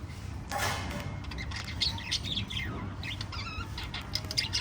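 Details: Five lovebirds chirping: a burst of wing flapping early on, then a string of short, high chirps and thin rising and falling whistles over a steady low hum.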